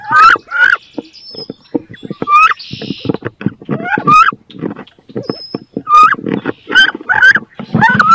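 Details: Wood duck females, two of them, fighting hard for one nest box in 2022; dense run of rising squealed cries over constant scuffling, tapping and rustling, with a brief hiss.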